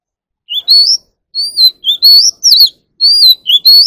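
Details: Magpie robin in song training for competitive singing, caged: clear upslurred whistles alternating with sharp descending notes, phrases given in pairs separated by short pauses.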